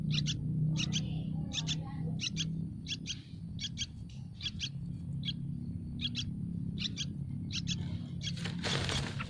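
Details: Begging Yellow-vented bulbul chicks in a nest on a tree: paired high chirps repeated steadily about twice a second, ending in a loud rustling burst, above constant low-frequency noise.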